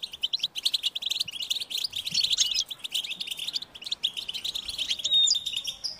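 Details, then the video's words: European goldfinch chicks begging, calling their parents to be fed: a dense, high-pitched, insistent stream of rapid chirps, near-continuous for six seconds with brief dips in loudness. "unique experience in stimulating goldfinch and chirping birds"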